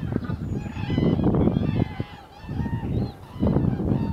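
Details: Common cranes (Kraniche) in winter, recorded 1 February 2014: a flock giving overlapping loud trumpeting and honking calls with bugled tones, dense and continuous with a short dip near two seconds.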